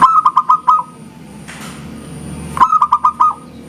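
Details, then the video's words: Vocal local zebra dove gives two bursts of five rapid, hollow cooing notes, about two seconds apart, with a rushing noise between them. "SUARA PERKUTUT LOKAL GACOR, JERNIH ENGKELnya BIKIN RAMAI SAUTAN"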